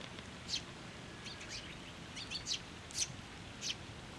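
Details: At a Tenmangu shrine in June 2024, sparrows and their young fly to a post for food, giving soft, thin, high chirps scattered irregularly through a few seconds of background noise.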